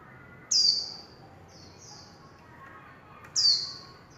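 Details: Warbling white-eye in líu chòe style: a loud, thin, downward-sliding whistle is followed by two softer high notes. About three seconds later comes a second strong descending note, over a quiet background.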